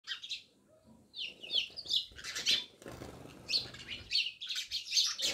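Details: Several house sparrows living near a village house in Jamnagar chirp together in a busy, overlapping chorus of short harsh chirps, some wing flutter and low rustling beneath.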